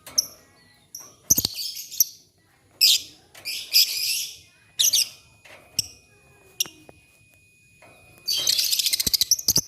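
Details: Lovebird song at morning with birds replying to each other. Repeated shrill, grating chatter bursts and clicks end in a rapid pulsed trill of harsh notes.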